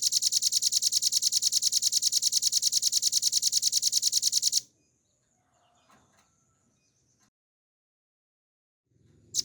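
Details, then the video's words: Velvet-fronted nuthatch in a recording meant to train cage birds: a loud, machine-like high trill for over four seconds, then near silence with faint scratchy sounds and one sharp note at the end. "RAMBATAN PARUH MERAH GACOR FULL NGEBREN NEMBAK PANJANG"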